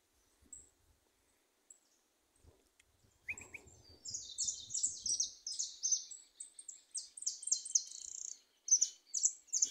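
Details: Goldfinches singing at liberty in a small thicket; after a near-silent start, a rush of thin, high, metallic twittering bursts in and continues in quick, uneven phrases.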